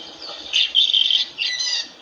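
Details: African lovebird imitating a rooster's crow: a loud, shrill, drawn-out whistled cry that rises, holds steady, then breaks into a second, shorter strained note, with faint background hiss.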